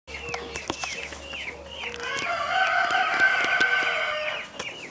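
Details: Peafowl in Krasnodar Krai, Russia, on 3 June 2020 give short, nasal, down-slurred calls in quick succession, then one long, loud, brassy wail.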